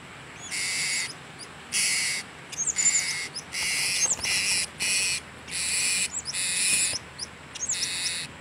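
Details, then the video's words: A lone blue-crowned hanging parrot (serindit), recorded around 26 October 2017, gives harsh, hissing screeches about once a second, seven in a row, with a few thin, high chirps in between. "SERINDIT solo"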